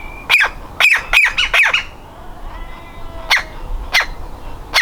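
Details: Young woodpecker still in its nest hole, about to fledge: a fast burst of harsh, scratchy calls, then a short pause and a few spaced single calls.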